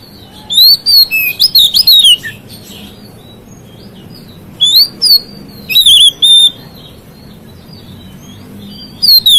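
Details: Oriental magpie-robin (kacer) delivering provocative song aimed at other magpie-robins: repeated short phrases of shrill, wavering whistles and sweeping slurs, in four bursts with brief gaps.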